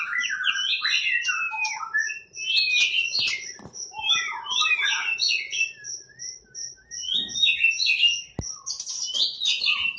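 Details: Long, varied phrase from a champion competition white-rumped shama in 'tembakan' style, mixing quick whistled twists and warbles over a sustained thin high whistle that runs through much of the passage.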